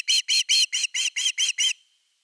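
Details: Osprey at nest #3, live nest camera, 30 August 2021, evening fish; eight loud, ringing whistled notes delivered about four per second, the final one trailing into a faint thin whistle.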